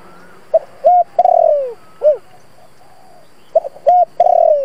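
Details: Decoy spotted dove in 'thổ' style, cooing to fire up newly caught doves: a phrase of short note, held coo, long sliding trembling coo and arched ending, then a second phrase begins.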